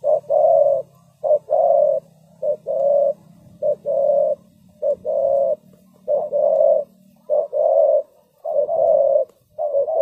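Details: Spotted dove used as a lure in trapping, giving a long run of mellow coos. Short and long notes are paired in rhythmic phrases roughly every second, with a low background hum.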